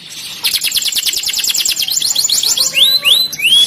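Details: Canary song opening with a rapid, rolling trill of fast repeated notes, followed by a few loud rising-then-falling whistled slurs.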